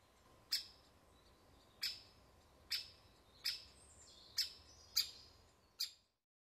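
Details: Woodpecker at the nest giving seven separate sharp, high, clipped calls spaced about one second apart, with faint softer notes between them, then falling silent.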